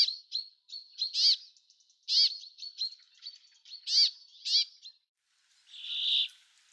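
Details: Bramblings (Fringilla montifringilla) in a garden in April 2013 give short high chips and several nasal, harmonic call notes over five seconds, then one drawn-out wheezy buzz.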